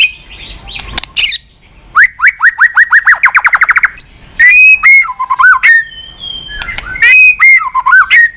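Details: White-rumped shama singing continuous 'tạch' chatter, used to rouse a low-spirited shama into song and tail-flicking: harsh bursts open, then about fourteen rapid descending slurred notes, then loud ringing whistled phrases rising and falling.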